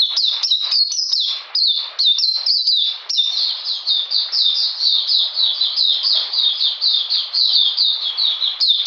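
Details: Oriental magpie-robin, recorded 13 June 2020 in cold rainy weather, pours out quick high chirps that slide downward, repeated many times a second in a long continuous phrase.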